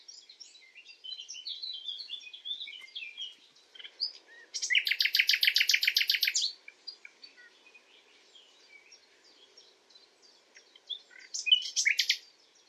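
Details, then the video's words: Common nightingale in night song: soft twittering notes, then a loud, fast rattling series of identical pulses lasting about two seconds, more quiet chatter, and a short emphatic burst near the end. "Common nightingale calling, Beautiful Common Nightingale song [HD Common nightingale sound]"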